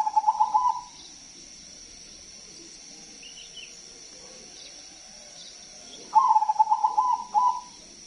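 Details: Zebra dove used as a lure for other doves: a short rolling trill of pulsed coos, a long quiet gap with faint distant chirps, then another trill and a brief coo, over constant hiss.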